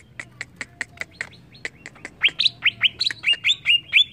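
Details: An agitated greater green leafbird gives dry clicking notes that build into loud, rapid whistles, some rising and some falling, repeated over and over.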